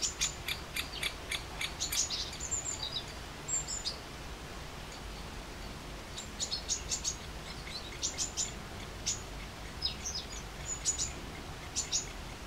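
Sharp, high, clicking kik notes come in loose bursts of several, with pauses between them. Faint thin whistles from other birds sit over a low background hum.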